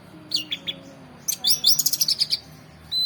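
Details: Orange-headed thrush song: three short, high chirps, then a quick, dense burst of bright, twittering notes, with a final clear whistle.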